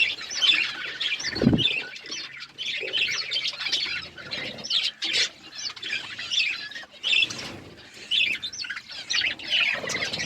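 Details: Budgies of various colours chirping together, a dense chatter of warbling, squeaky notes with short rising and falling whistles, occasional wing flaps.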